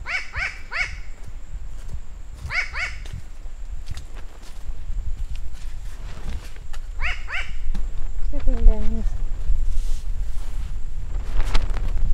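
New Caledonian crow giving short, rasping, arched notes in quick triplets, repeated three times, then a lower drawn-out call, over a steady low rumble.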